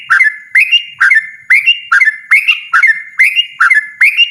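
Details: Yellow-vented bulbul singing a loud, persistent, rapid 'ropel' style song: bubbly whistled phrases, each a sharp rising note into a short warble, repeated about twice per second without pause.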